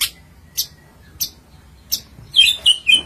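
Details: Long-tailed shrike singing energetically: four sharp high chirps spaced about every half second, then a quicker cluster of richer, twittering notes at the end.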